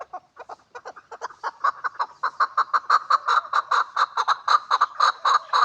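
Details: Hybrid chukar partridge giving a run of harsh chuck notes that start loose and soft, then grow louder and more even, about two per second, with clear mid-pitched clucking throughout.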